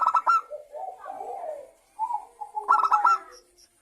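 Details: Zebra dove song played to encourage other doves to sing: it opens with a clipped staccato burst, continues with soft rolling coos, and closes with another loud rapid burst.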